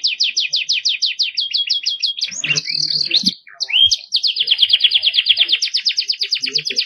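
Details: Canary delivering luxurious cengkok mewah phrases: rapid staccato trill, a knot of sliding whistles and a sharp upward note, followed by a smooth fast rolling trill.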